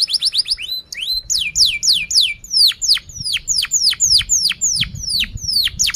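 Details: Canary singing long and lively, with fast cuit-cuit chirps: a quick burst of short downward-slurred notes, then a steady series of loud descending whistles about three per second over a faint low hum.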